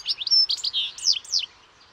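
European goldfinch song: a quick, tinkling jumble of bright twittering notes and rising-falling liquid slurs, high-pitched and fast-paced, with a faint background hiss.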